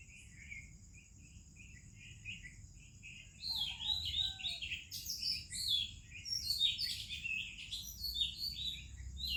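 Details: Oriental magpie-robin singing in the morning in India among other birds: soft chirps at first, then a burst of varied sweet whistled and warbled phrases over a steady high insect-like hum.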